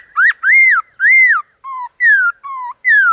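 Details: Wild black-throated laughingthrush singing in the forest with a varied, many-voiced song. Loud, rich whistled phrases, some arching up then falling, others short and level or sliding down, in a quick series of about eight notes with clean gaps.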